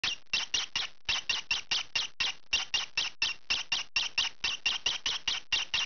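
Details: Young green pied peach-faced lovebird, noisy while scratching, giving rapid harsh squawky chips, about four per second in steady bursts with short gaps, in a quiet indoor room.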